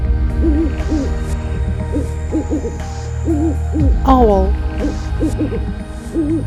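An owl gives short, hollow hoots in quick pairs and runs of about three per second, with one lower sliding note, over steady background music.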